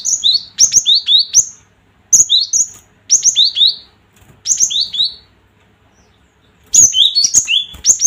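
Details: Gelatik batu, or cinereous tit, calling to stir rival birds: rapid runs of ringing whistled couplets, high then lower, delivered in four bursts with a longer pause before a final busy flurry.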